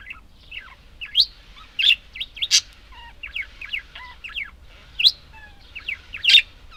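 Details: Budgerigars chattering: a mix of short thin rising and falling whistles, warbled squiggles and a few sharp loud chirps at irregular intervals.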